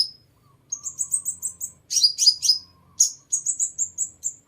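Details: Sunbird song meant to draw in birds: rapid strings of thin, high, repeated chirps alternating with dense bursts of sharper descending notes, clear and loud against near silence.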